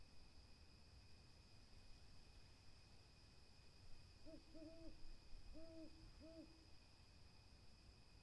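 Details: Brief series of owl hoots: four rounded, slightly rising-then-falling notes grouped in two pairs, heard against a constant thin high-pitched drone and low rumble.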